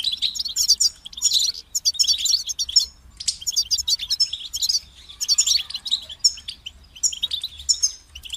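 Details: Goldfinch singing repeated bursts of bright, jingling twitters and quick trills, each phrase under a second with short pauses, sustained for several phrases over a faint low hum.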